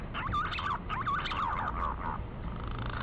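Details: Green pigeon (punai) calling: a run of wavering, whistled notes that rise and fall and bend in loops, repeated several times over three seconds, against steady broadband background hiss.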